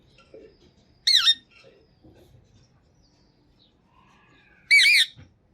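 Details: Pakistani green talking parrot, an Urdu-speaking pet, lets out two loud, grating squawks about three and a half seconds apart, with faint muffled voices and small sounds between.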